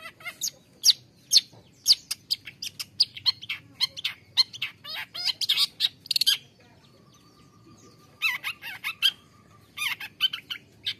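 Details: Long-tailed shrike song used to encourage a caged shrike that will not sing: fast scratchy chattering notes in a long run, a short gap with faint steady hum, then more harsh bursts.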